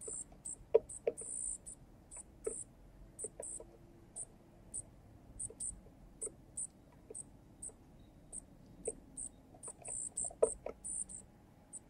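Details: Baby junco begging beside a male junco who feeds it at a small balcony feeder: quick series of short, sharp, very high chips and squeaks, irregularly spaced, with light pecking clicks.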